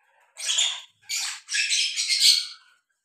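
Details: Lovebirds, a breeding pair kept together, giving harsh, high squawking bursts: a short burst, a second, then a longer rasping run of chattering notes, with quiet gaps between.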